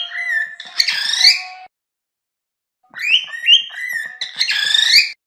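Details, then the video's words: Cockatiel song in two bursts split by a silent gap of over a second: bright whistled notes sliding up and down, mixed with short scratchy chatter and a steady low tone. "تغريد طائر الكروان أو الكوكتيل"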